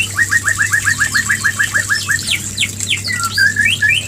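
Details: White-rumped shama mating call, used to bring a female into breeding condition: a rapid run of about a dozen identical short upslurred notes, then varied higher whistles and slurs over a steady low hum and hiss.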